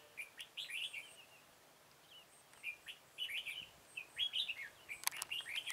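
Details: On 13 October 2018, a red-whiskered bulbul near a decoy bird in a trap delivers its full song, with repeated short, bouncy warbled phrases, a few sharp clicks near the end.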